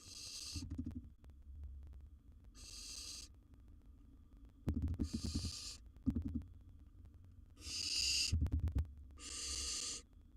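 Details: Wild barn owl chick in a nest box with a gerbil it has taken; five broad, raspy hiss bursts spread across ten seconds, with intermittent clattering and thumping between them.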